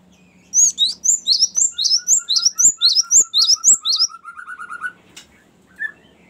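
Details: Rolling Cinereous tit song for luring wild birds and training others: a steady series of around fifteen bright, high double chirps at about two per second, over a thin, steady lower whistled tone that ends in short wavering notes.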